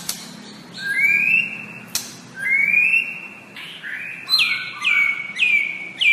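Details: White-rumped shama tutor song, or masteran: clear whistled notes rising into long level tones, separated by sharp clicks, then a quick run of descending whistled slurs repeated about every half second.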